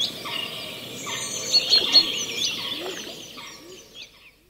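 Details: Chaffinch calling in the foreground at Eyeworth Pond in the New Forest while two mallards alight on the water; short high chirps and sharp notes over steady environmental background, splashing fading toward the end.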